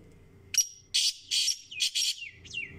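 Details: Black francolin (kala teetar) calling: a brief thin whistle, then a loud run of four harsh, buzzy, grating bursts about half a second apart, ending in a softer falling note over a quiet low hum.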